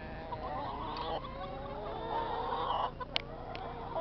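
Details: Several chickens calling together, overlapping drawn-out clucks and murmuring notes over a constant low background hum, with a few sharp higher squawks near the end.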